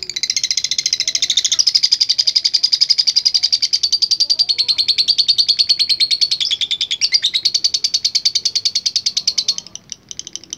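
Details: Long ngekek song of a lovebird singing profusely, used as a training recording: a sustained shrill rattling trill, about three pulses a second-fraction, unbroken for nearly ten seconds before fading to scattered clicks.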